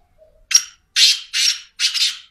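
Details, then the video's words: Harsh four-note call of a Black francolin: a sharp clipped opener, then three drawn-out buzzy, grating notes evenly spaced. A soft faint note is heard just before, with a silent background. "Black francoline teetar sound"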